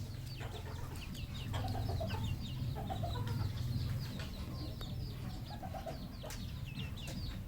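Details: Red junglefowl raised in captivity on a farm: short low clucks in quick bursts, set against a dense chorus of thin, high, downward-sliding peeps from many birds and a steady low hum.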